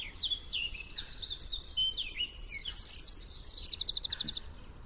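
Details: Wild Eurasian wren singing: a fast, high jumble of warbled notes building into loud, evenly spaced trilled bursts, ending in a quick buzzy trill, with faint low background noise.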